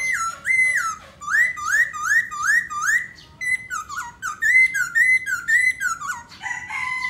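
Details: Black laughingthrush singing while dancing: loud clear whistled phrases, each a rising then falling slur, repeated about twice a second in a steady run, then a short pause and a second run of similar whistles with a lower note.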